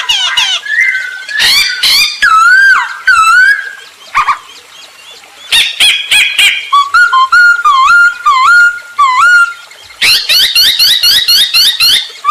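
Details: Lively masked laughingthrush song meant as a lure to prompt other birds to sing: loud wavering whistles and slurred descending notes alternate with fast harsh rattles, ending in a rapid burst of scratchy repeated notes.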